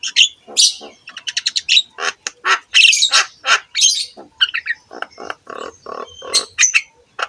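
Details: Javan myna song meant to coax other mynas into singing, rapid series of clipped chirps building into rasping squawks and buzzy bursts, with a few bright whistled notes.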